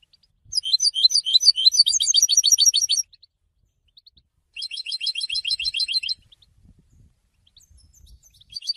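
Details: Goldfinch training song, said to attract females and announce presence: two bursts of very rapid, dense, tinkling trills, each lasting two seconds or more, separated by a short pause, with faint chirps near the end.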